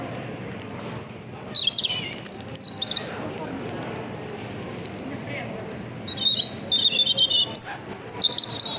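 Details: A European robin trapped inside a supermarket in Sarzana in winter sings loudly, perhaps from distress among many people. It gives thin, high warbled phrases with pure whistles and tumbling trills in two bursts, over reverberant indoor hum and faint voices.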